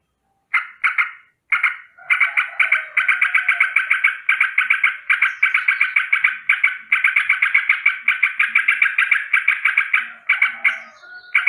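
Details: Morning alarm call of a sooty-headed bulbul, a long continuous rolling chatter of harsh rapid notes running for many seconds with only short breaks.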